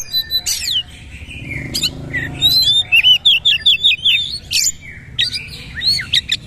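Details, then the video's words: Oriental magpie-robin singing forcefully in the 'nembak' bowing style: scratchy bursts, then a rapid train of bright, repeated whistled notes, followed by more harsh chattering and sharp high whistles after a brief pause. "KACER SUPER POWER NEMBAK GAYA SUJUD SUJUD"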